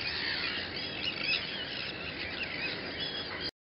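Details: Sandwich tern colony on Griend, 26 May 2013: a dense chorus of harsh, grating, overlapping squawks and rasping calls, a constant din with no pauses.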